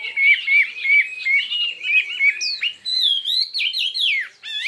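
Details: Contest-singing Chinese hwamei in a many-voiced duel. Rapid repeated whistled notes run into looping, swooping phrases that climb and fall, almost continuous and intense.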